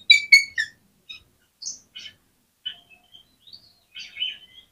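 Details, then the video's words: Oriental magpie-robin vocalising to trigger other magpie-robins to respond and sing: a few bright harsh chirps at the start, followed by scattered softer high twittering notes and short whistles separated by brief pauses. "SUARA KACER GACOR INI SANGAT AMPUH BIKIN KACER LAIN CEPAT NGEPLAY"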